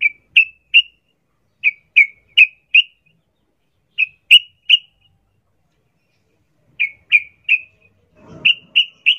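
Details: Sooty-headed bulbul, wild 'ngalas ropel' style used as a lure for captive birds: clean, sharp, slightly whistled notes given in bursts of three or four, with silent gaps between bursts and a soft rustle near the end.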